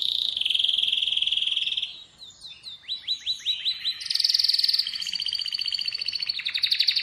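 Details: An Atlantic canary sings a sustained buzzy tone, then a run of repeated descending slurred notes, followed by quick high trills and rolling rattles that continue to the end with little break.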